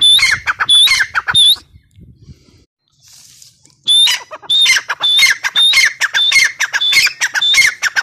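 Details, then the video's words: Grey partridge (teetar) calling: loud, harsh repeated phrases, each starting with a high rising whistled note followed by grating lower notes, about 100 per minute, with a pause of about two seconds in the middle. "Teetar ki awaz | irani teetar voice | gray partridge voice | tetar sound"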